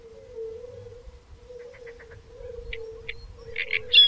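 Great reed warbler giving harsh, grating notes that start soft and grow louder and more rapid toward the end, over a steady low droning hum.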